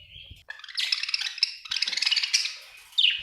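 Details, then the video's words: Budgie chirping: a thin whistle, then a dense rapid warble of buzzy, scratchy chatter, closing with a sharp high chirp. "Australian beautiful birds sound 😍 budgie chirping sound 😍"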